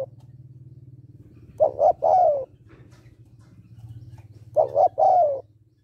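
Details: Female spotted dove calling to excite a male: two quick hooted notes then a longer coo sliding downward, repeated twice, over a steady low hum in the background.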